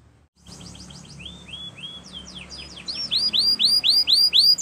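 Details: Spanish Timbrado canary song for training: quiet, quick descending and rising slurred notes at first, building into loud, clear arching whistles repeated about four times a second, with faint background hiss.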